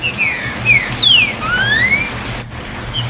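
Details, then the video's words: Green-winged saltator singing the "chuva" style meant to get captive birds singing: long sliding whistles, some falling and one rising steadily, then a sharp high note and a click, with a constant low hum underneath. "O CANTO CHUVA VAI ESTIMULAR SEU TRINCA FERRO CANTAR"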